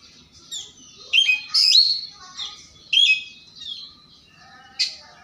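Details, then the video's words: Oriental magpie-robin in morning song, persistently seeking a rival: separate bright, sharp whistled phrases and rising slurs, each burst about half a second, spaced by quiet pauses. "Kacer Pagi Hari Gacor Ngotot Mencari Lawan"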